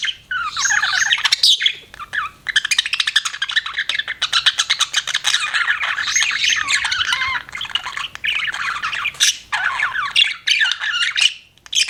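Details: Budgerigar giving almost nonstop scratchy chatter, a busy stream of harsh squawks, clicks and quick warbling notes with only a couple of short breaks.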